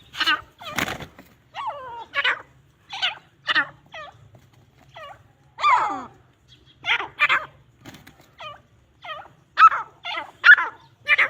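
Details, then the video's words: Grey francolins fighting give harsh, ringing, yelping notes in irregular bursts about every half second to second; no other clear sounds. "Grey francolin sound |teetar fight"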